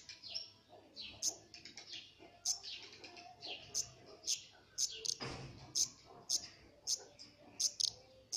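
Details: Black redstart pair feeding chicks: sharp, high-pitched chirps repeated irregularly, roughly two per second, with softer twittering between them and a single dull thump midway.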